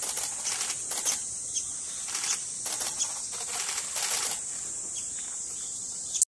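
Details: Two Japanese paradise flycatcher chicks remaining in the nest on fledging day give harsh, hissing begging bursts about once a second, exchanging calls with the mother as she feeds them in turn, over a steady high insect-like whine.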